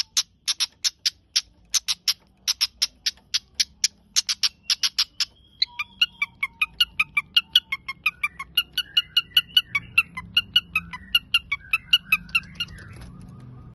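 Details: Cendet, the long-tailed shrike, delivering a long run of rapid dry high chips that turn into a varied twittering of shorter, quicker notes, fading out over a low background hum.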